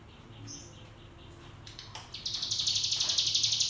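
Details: ['Ngebrem-style song of a cigun white-eye, used to coax young birds into singing: after a quiet start, an intense, evenly pulsed high buzzing trill runs for about a second and a half.']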